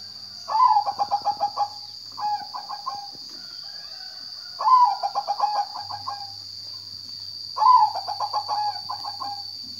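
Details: Zebra dove singing rapid, staccato cooing trills, each phrase opening with an upslurred note and then a run of quick pulsed coos. Phrases come about every three seconds against a steady high electronic-like whine.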